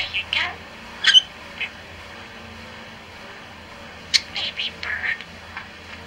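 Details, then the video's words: Four-year-old male pet budgerigar reciting nursery rhymes: quick, high, scratchy bursts of clearly pronounced mimicked words with short pauses between phrases, low indoor hum underneath. "Preaching Budgie says nursery rhymes"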